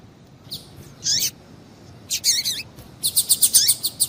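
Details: Female double-collared seedeater calls to excite males: a few slurred high notes, then a rapid run of short bright chirps repeated several per second, with soft hum beneath.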